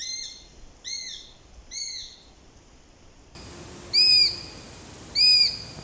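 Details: ['Eurasian sparrowhawk calling: a series of high, arching whistled notes. Three softer ones are followed by two louder, clearer ones, roughly one per second.']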